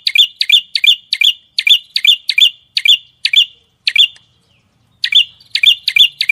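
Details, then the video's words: Songbird singing energetically in a masteran recording: short loud chirping phrases, each a sharp downslurred note with buzzy overtones, repeated about three times a second in bursts with brief pauses. "Masteran Burung Gacor"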